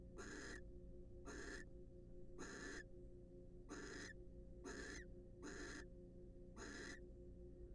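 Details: Barn owls in the wild, sharing a preening and courtship session in a nest box; seven short rasping hisses in under eight seconds, at somewhat uneven spacing, over a low steady hum.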